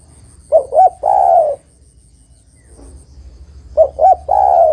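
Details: Female spotted dove calling the male, giving two identical phrases about three seconds apart, each two short coos and a long purring coo, with a low hum and a faint high whine.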